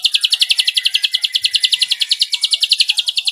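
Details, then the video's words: Sustained rapid trill from an Ashy drongo tutor recording of 'nembak cililin' style: high, sharp notes repeated very quickly at an even pace, loud and clean throughout. "MASTERAN BURUNG SRIGUNTING ABU ABU MEWAH NEMBAK CILILIN 10 DETIK"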